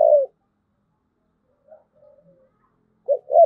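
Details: Spotted dove in thúc gù cooing: a drawn-out falling coo at the start, a few soft faint murmured notes, then two short low hooting notes closing the phrase, in a quiet setting.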